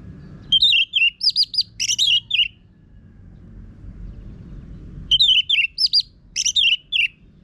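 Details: Orange-headed thrush (anis merah), a kept songbird, giving harsh-voiced lure song meant to prompt other birds to sing: two bursts of varied, scratchy, slurred chirps, each lasting about two seconds, separated by a pause with faint low hum.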